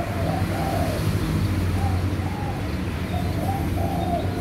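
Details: A captive-bred, clear-pied white spotted dove with normal eye colour, one of a pair in a breeding cage, gives soft, low, hollow coos in a short broken phrase of about five notes over four seconds, over a steady low rumble.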